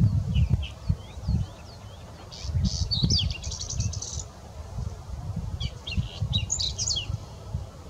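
A whinchat sings short, scratchy phrases of high chirps and quick whistled notes, about three bursts in eight seconds, over steady low wind rumble.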